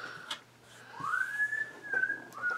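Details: Male pet African Grey Parrot whistling indoors in a craft room: a clear whistle that slides up, holds steady with a brief dip, then starts again; room sounds behind.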